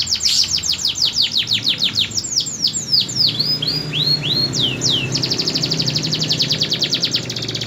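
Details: Singing canary delivers a varied phrase: a fast run of descending sweeps, then slower drawn-out swooping whistles, ending in a rapid high trill, with low background rumble.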